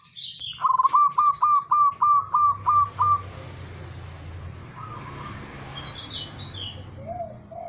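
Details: Calling male zebra dove, a local bird, gives a quick run of eight clipped, identical cooing notes at mid pitch, evenly spaced about three per second. Fainter chirps and hiss from other birds follow behind.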